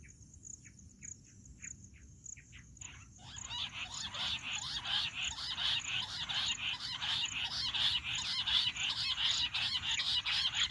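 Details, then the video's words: Jungle bush quail, call used for hunting: a few spaced, short chirps, then a sudden loud, continuous chorus of rapid, rhythmic, shrill notes that builds in volume, over a constant high-pitched whine. "Amazing Quail sound || Battair shikar awaaz || Bush quail voice| baredd Junglee gundri awaaj"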